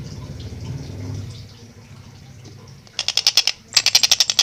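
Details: After a quiet stretch of low rumble, a Long-tailed shrike singing briskly and clearly gives two short bursts of rapid, grating notes in close, fast succession near the end.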